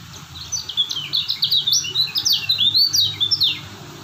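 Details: Energetic high-pitched twittering from a Lombok lemon-bellied white-eye: a dense chain of quick downward-slurred whistles lasting several seconds, with a low mechanical hum in the background.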